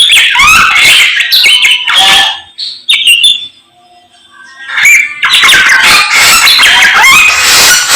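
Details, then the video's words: Samyong song in the morning. Loud chattering and whistled phrases open the passage, fade to near silence with a faint thin tone, then return as a dense, varied burst. "SAMNYONG GACOR Menggemaskan DI PAGI HARI"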